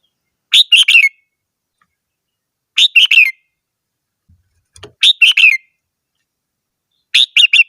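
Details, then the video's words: Red-whiskered bulbul repeating a bubbly three-note warbled phrase about every two seconds, four times in all, with a couple of faint low taps in the background. "chim chào mào hót - tiếng chim chào mào hót"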